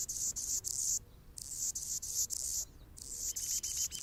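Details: Anna's hummingbird singing on a branch in Golden Gate Park, San Francisco, California: repeated bursts of harsh, buzzy, scratchy high notes separated by brief gaps, with a faint thin twittering series near the end.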